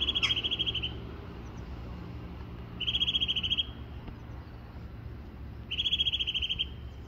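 Eurasian nuthatch giving three fast, even trills of rapidly repeated high notes, each about a second long, every three seconds, over a low background rumble.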